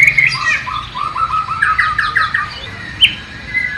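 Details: White-rumped shama from Borneo, East Kalimantan, singing mimicked flycatcher (sikatan londo) phrases: a soft series of short whistled notes and quick slurred chirps, then a single sharp high note near the end.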